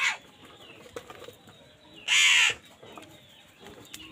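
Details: Crow competing with wild birds for food lets out one short, grating caw in the middle, with scattered clicks, flutters and soft chirps around it.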